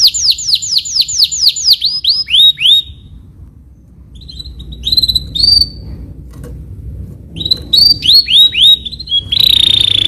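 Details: Caged canary performing walnut song: fast repeated downward-sweeping notes slowing into a held whistle, a quieter pause with scattered chips, then renewed sweeping trills ending in a buzzy rolling phrase.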